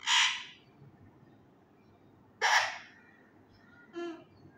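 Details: Male ringneck parakeet in a room, trying to learn words: two loud, raspy bursts roughly two seconds apart, followed by a shorter buzzy, harmonic syllable. The background is otherwise quiet.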